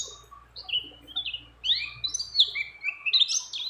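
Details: Mountain white-eye, a female in breeding condition calling a male, recorded among many other birds: quick, varied high chirps and short slurred twitters, some rising, some falling, delivered in uneven bursts, over a faint low hum.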